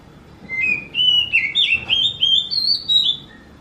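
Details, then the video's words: Oriental magpie-robin with a song said to sound like a kitten: a continuous run of about ten whistled, mewing notes that twist and glide, stepping higher toward the end before a final soft note. "Viral burung kacer ini suaranya mirip seperti anak kucing"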